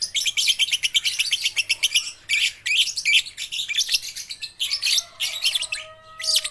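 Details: Juvenile lovebirds practising song: almost unbroken rapid, harsh, high twittering with rhythmic pulses, plus a few thin drawn-out whistled tones late in the sequence.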